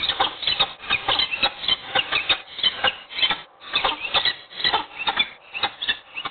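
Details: Peregrine falcon at Wołomin during a morning meeting and mating, giving harsh, rasping calls in rapid series of about four notes a second, continuing steadily with brief pauses.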